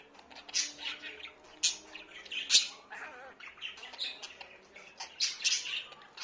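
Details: Talking pet budgerigars give a busy run of buzzy warbles, clicks and sharp high squeaks, with a few short wavering notes in between.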